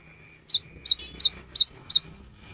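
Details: A cinereous tit song meant to draw birds in during the rainy season: five crisp, high swooping whistles, each with a brief upper note, spaced about a third of a second apart, with a faint steady tone beneath.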